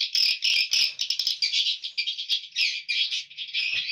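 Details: Swiftlets inside a swiftlet house, in the room used for hatching: a dense, continuous chatter of high, buzzy chirps and clicks from many birds at once, swelling and fading in short bursts.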